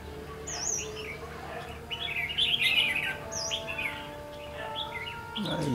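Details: Red-whiskered bulbul recorded while trapping a flock leader on 14 March 2016; a loud, tumbling warbled phrase peaks in the middle, framed by short high whistled notes, with a low thud at the end.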